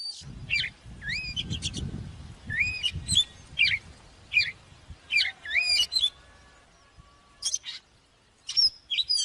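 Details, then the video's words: Oriental magpie-robin song, played for training birds to sing: quick varied whistled phrases, rising and falling slurs and sharp chirps in bursts with short pauses, over a low background rumble. "เสียงนกกางเขนบ้านหรือนกบินหลาขี้ควายใต้ CĂNG QUÁ || CHÒE THAN CĂNG LỬA || HÓT MÚA CỰC PHÊ"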